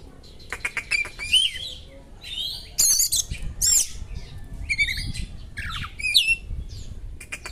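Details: Oriental magpie-robin singing borrowed small-bird phrases to excite another magpie-robin: fast ticks, scratchy warbles, and harsh high bursts in uneven bouts, over rumbling low background noise.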